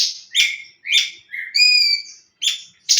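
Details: Leafbird giving tembakan song: a series of sharp, clipped chirps around a long, clear whistled note with bright overtones, ending in a brief buzzy burst.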